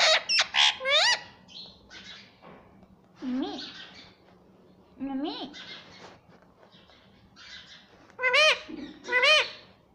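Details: Talking pet rose-ringed parakeet saying "mummy" in bursts: quick high squeaky arched notes at the start and end, softer mid-pitched curved syllables in between, separated by quiet gaps; faint low hum throughout.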